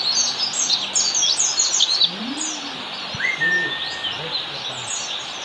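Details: Oriental white-eye 'ngalas' master song for training caged birds: quick high twittering for two seconds, then fading out, with a long thin whistle and a few lower scattered sounds following.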